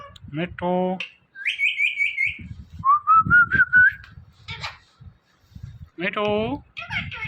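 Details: Pet parrot talking and whistling, saying "Mithu": nasal harmonic syllables, a trilled wavering whistle, a slowly rising whistled tone, then more nasal syllables, with soft low rumble underneath.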